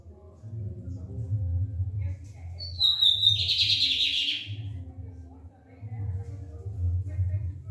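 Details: Barbado lined seedeater song heard on a Friday at half past ten, a brief phrase opening with a falling whistle and breaking into a harsh buzzy rattle, with low rumbling background and a human voice nearby.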